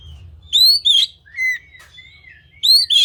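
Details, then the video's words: Oriental magpie-robin (kacer) song meant to trigger other magpie-robins: loud rising whistles in pairs, with softer level whistled notes between them, all clear and bright against a faint low hum. "kacer kalian pasti langsung bunyi"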